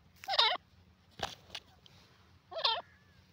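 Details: Grey francolin calling: two loud, harsh, multi-noted phrases about two seconds apart, separated by a few sharp clicks over a low steady hum.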